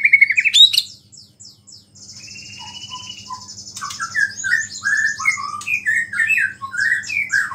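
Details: White-rumped shama song intended to provoke other shamas: an opening rising whistle, a brief pause with a high thin buzz, then rapid varied whistled notes and chirps, with a faint steady hum behind.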